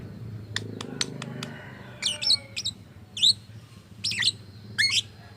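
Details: Lovebird with an odd voice, said to mimic human speech: a few clicky ticks, then separate shrill squeaky notes, each bending up and down, roughly one a second over a low background hum.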